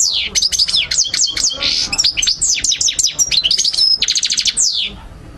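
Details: European goldfinch singing as a training tape for birds to memorise: a continuous, fast run of bright chirps, falling whistled notes and a buzzy rattling trill near the end, loud and close.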